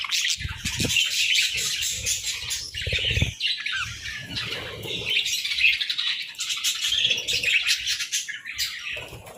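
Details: Budgerigars chirping together in the morning, uneven bursts of high scratchy warbles and squawks rising and falling, with some low rustling and fluttering beneath.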